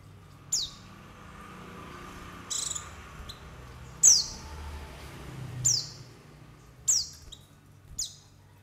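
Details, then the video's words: White-eye lure calls: six or seven sharp, high, falling chip notes at uneven gaps, some softer and buzzier, over a quiet low hum. "SUARA PANGGILAN PLECI UNTUK PANCINGAN PLECI"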